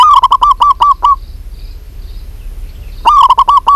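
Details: A local zebra dove female calls to a male with a fast string of loud, clipped cooing notes for about a second, a pause with faint high chirps, then another rapid run begins.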